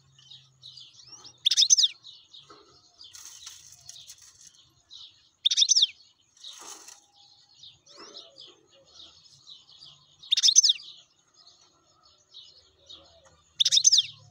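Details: Wild European goldfinch giving short loud bursts of sharp twittering notes about every four seconds, with faint thin chirps and twitters between them.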